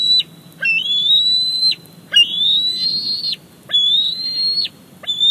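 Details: Eaglet of the Big Bear Lake bald eagles begs during its mother's fish delivery, July 2019, giving long high whistles that rise slightly and snap downward at the end, roughly four in five seconds.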